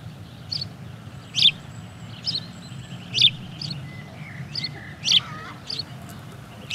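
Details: Male house sparrow keeping watch by the nest and singing loudly while the female incubates: sharp, loud chirps repeated roughly once a second over a steady low rumble.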